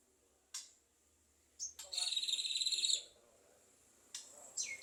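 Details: Speech-imitating Javan myna utters sharp clicks, then a fast chattering buzz of rapid pulses lasting about a second, followed by brief rasping notes.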